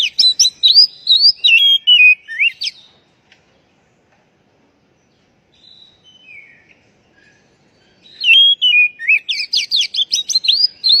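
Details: White-rumped shama, lure for birds that stopped singing; loud varied whistled phrases with quick sweeps, a quiet gap with faint soft notes, then a fresh burst of rapid zigzag notes.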